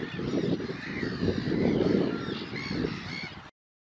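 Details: Low gravelly grunts of glossy ibis run together in a rising and falling chorus, and a few higher drawn-out calls are heard over it before the sound stops abruptly.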